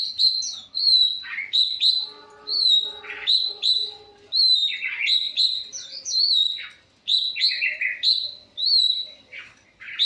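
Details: Long-tailed shrike singing a long, varied sequence. Its clear high whistles are interleaved with scratchy, descending chatter, and the phrases recur roughly every second. A faint, lower, humming tone runs underneath in the middle section.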